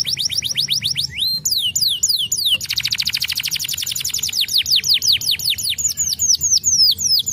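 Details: Canary song: fast repeated falling whistles, a burst of sweeping slurs, then a long rapid buzzy trill giving way to rhythmic downward-sliding notes at the close.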